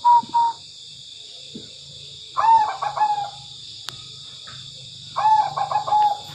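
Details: Tame zebra dove singing actively. Three separate bursts of soft, rolling coos: a short doubled note, then two fuller phrases of quick staccato notes ending in a drawn-out coo, with a steady high hum throughout.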